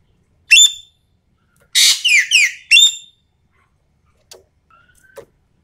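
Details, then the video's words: Sumatran common green magpie calling as a lure: one piercing high note followed by a rough cluster of three grating, descending whistles. Weak clicks follow in a quiet background. "MASTERAN/PANCINGAN SUARA BURUNG EKEK KELING SUMATERA GACORR FULL TEMBAKAN"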